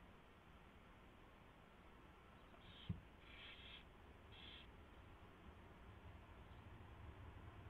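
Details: Owl at the nest at 4:21 AM, 24 February 2016, as a mouse is delivered and fed; three brief raspy hissing bursts clustered mid-clip with a sharp knock just before them, against constant low background hum.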